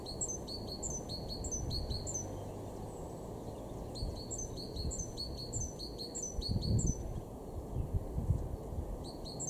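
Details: Great tit singing in a Weener garden, East Frisia, northwest Germany, March 2023: two long runs of high, rhythmic two-note phrases with a brief closing phrase, over persistent low rumble that grows louder later.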